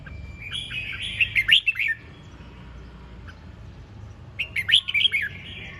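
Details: Ché chẻ song of a red-whiskered bulbul: a drawn note leading into a quick bubbly burst of whistles, a pause of about two seconds, then a second similar lively phrase.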